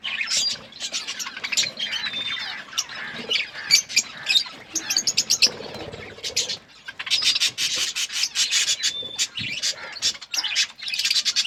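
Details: Budgies eating food, their high chattering twitters mixed with many sharp clicks and tapping sounds, quieter in the middle stretch and busier toward the end.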